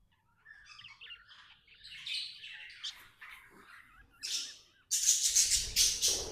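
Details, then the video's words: Cheerful pet budgerigar starts with soft twittering warbles that build up into a loud, buzzy, rasping chatter at the end. "Happy budgie chirping sounds"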